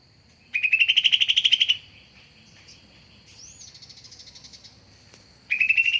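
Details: Cucak ijo (leafbird) lure call used to attract birds: a loud rapid trill of pulsed notes rising slightly in pitch, lasting over a second, followed by softer chattering and a second trill; a steady high tone runs beneath.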